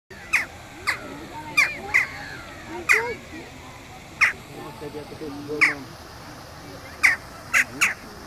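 A western jackdaw gives about ten sharp, metallic 'chack' calls at an uneven pace, sometimes in quick pairs, over a faint background murmur.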